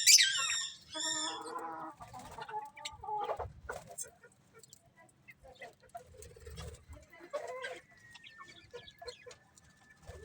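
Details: Colourful budgies open with loud, harmonic, squawky calls in quick succession, then fade into faint scattered chirps and ticks with a thin steady whistle in the background.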